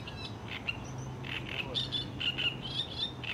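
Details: A Eurasian coot family feeding: several birds give overlapping sharp, high squeaky chirps at about two per second, over a steady low hum.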